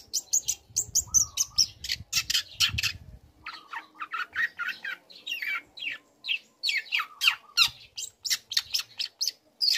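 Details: Young long-tailed shrike, used to trigger other shrikes, delivering a rapid run of sharp, high chirping notes in quick succession, mixed with scratchy phrases and a few short whistles, with a low rumble early on.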